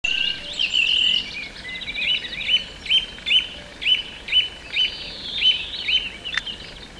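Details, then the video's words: Song thrush singing at Pulborough Brooks in June 2017, repeating one bright, clipped phrase about twice a second, loud and clear, with fainter high twitters from other birds behind. "Song thrush Birdsong"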